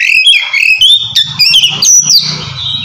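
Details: Oriental magpie-robin, likely caged, singing loudly in the kacer ngeplong style used to call a rival and prompt quiet birds to sing; rich varied whistles and buzzy notes sliding between high pitches, with short bright trills.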